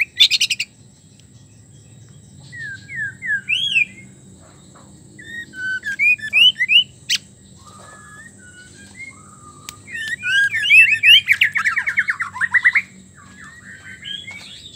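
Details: A female white-rumped shama (Copsychus malabaricus) calls to attract a male with varied whistles, chirps and rapid rising trills. The call is used to stir males into singing.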